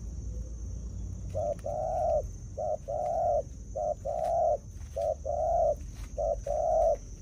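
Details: Spotted dove kept as a decoy bird, cooing in paired phrases: a short low coo followed by a longer, fuller coo, repeated about five times at a steady pace, with a faint constant high tone and low rumble behind.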